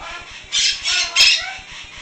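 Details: Pet female white-capped pionus giving her loud, harsh noise: three rasping, screechy bursts in quick succession over about a second and a half, broad and noisy, with faint background hum between them.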